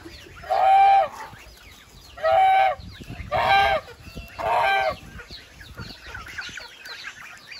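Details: Four strong, evenly spaced goose honks, each a broad nasal blare lasting about half a second, followed by quieter distant chatter.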